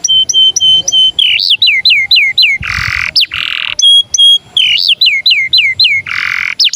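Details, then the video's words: Canary singing in starling style: a row of short flat whistles, then rapid looping downslurred notes and harsh broadband rasping bursts, the whole sequence repeated twice, clear and close. "Kenari cengkok jalak"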